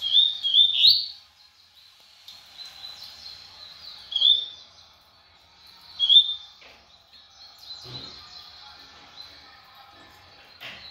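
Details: Double-collared seedeater in brown plumage singing at speed: short bursts of quick, twisting high whistles every two seconds or so, joined by thin sustained high notes and a few faint clicks.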